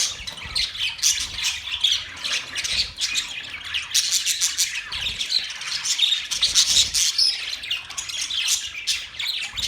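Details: Budgerigar flock chatter: nonstop bright squeaks, trills and harsh little squawks layered over one another for the whole stretch.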